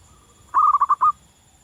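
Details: Song of a wild local zebra dove: a short run of five rolling, bubbling coos, evenly spaced and ending on a longer note, over near silence with a thin constant hum.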